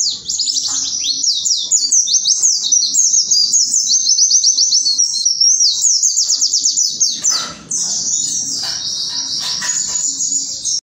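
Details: Javan white-eye singing loudly: dense, high-pitched rapid twittering pours out without pause, breaks briefly after about seven seconds, then resumes as a steady shrill chatter over a soft low hum.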